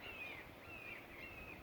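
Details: Red-shouldered Hawks flying around a wooded native-plant backyard where they usually nest, in 2023; three thin, high, slightly slurred calls in quick succession, faint behind a steady outdoor hiss.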